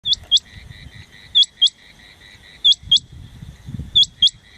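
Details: On 9-1-2023, a rain quail (Coturnix coromandelica) gives sharp, metallic doubled 'whit-whit' notes about every one and a half seconds over a steady high insect-like drone.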